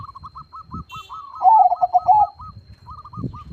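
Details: Zebra dove of crossbred line singing strongly: a loud rippling run of coo notes in the middle, among continuous softer cooing from other doves and low rumbling background noise.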